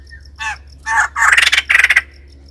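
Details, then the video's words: A white-crested laughingthrush gives a few loud, rough bursts, then fast rattling chuckles with quick pulsed notes. A low steady hum sits underneath. "White crested laughingthrush call"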